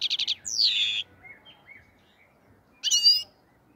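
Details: European goldfinch, the black-headed form, from the Andijan, Kuva and Fergana area: a quick run of four ticking notes, then a long slurred descending whistle, a pause with soft chirps, and a closing burst of bright buzzy twitter.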